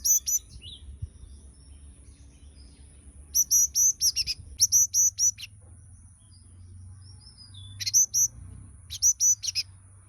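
A yellow-cheeked tit gives bright, high chirps in quick bursts of four to six notes, with pauses between the groups and a faint low hum behind.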